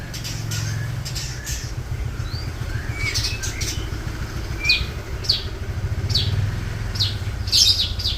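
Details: Long-tailed shrike from Sapudi, leg ring 421, singing mimicked material of rio-rio, parakeet, tengkek buto and sparrow: scattered sharp chirps, brief whistled upslurs and harsh bursts over a steady low engine hum.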